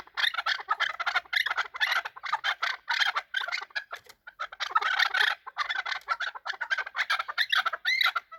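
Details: Fighting chukar partridges producing a continuous, crowded clamor of harsh overlapping chattering calls, broken by a couple of brief gaps.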